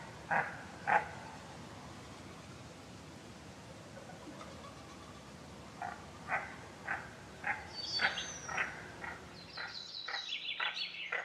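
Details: Goosander, a large diving duck, uttering a series of short hoarse croaks at irregular half-second intervals, followed by higher thin whistled notes from another bird near the end.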